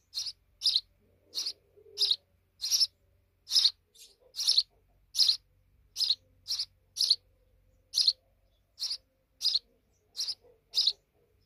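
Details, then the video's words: Sparrows nesting deep in a wall chirp steadily, a quick run of sharp, high tweets spaced roughly half a second apart. "Deep Nest Of Sparrow Birds in The Wall"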